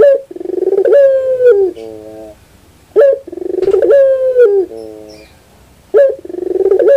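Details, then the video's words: Barbary dove, called puter bird, repeats its song roughly every three seconds. Each phrase has an abrupt onset, a pulsing roll and a sustained, slightly falling hum, followed by a quieter low coo. "your puter bird will definitely sound"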